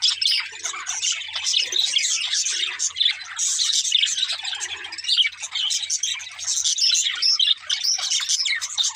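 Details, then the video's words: Playful parakeets in cheerful song, their nonstop tangle of sharp chirps, short whistles and raspy chatter overlapping in a bright, high-pitched babble throughout. "Budgies Chirping Sounds | Happy Parakeets Sing and Playing"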